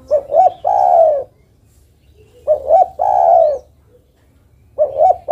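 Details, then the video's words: Female zebra dove calling a male: clear cooing phrases, each two short rising notes followed by a drawn-out descending coo, repeated about every two seconds over a faint low hum. "Suara burung derkuku betina memanggil jantan"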